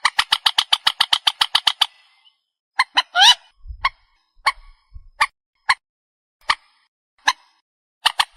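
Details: Night-hunting lure of a purple swamphen: a fast run of about fifteen harsh clucks, then a rasping squawk, followed by single sharp notes spaced slowly, under a second apart.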